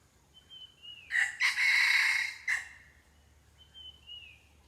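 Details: Red junglefowl crowing during wild junglefowl decoy luring: one loud, harsh, multi-part crow lasting about one and a half seconds, with a faint whistled, down-slurring call from another bird before and after it.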